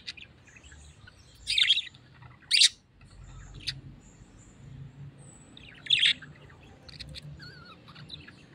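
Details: Tame pet parrot calling with three loud, rasping squawks, two close together early and one after a long pause, plus faint chirps in the background.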